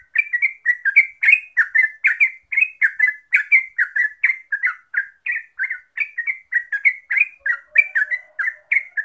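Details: Continuous gacor ropel song from a Yellow-vented bulbul: a dense, unbroken chain of liquid, bubbling notes that wobble up and down, with no pauses across the whole stretch.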